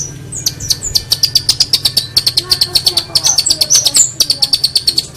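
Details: Master recording of a long-tailed shrike used to tutor songbirds: fast, dense run of high sharp ticks and piercing whistled notes, pulsing steadily, with a low background hum.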